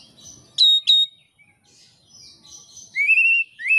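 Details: Indonesian oriental magpie-robin in full song, recorded as training material for keepers of songbirds: two sharp high chips, soft twittering, then loud rising whistles repeated near the end.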